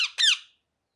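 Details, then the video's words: A single short, harsh parrot squawk with a downward slide, cut off quickly and followed by silence. "Parrot Chirping Sounds"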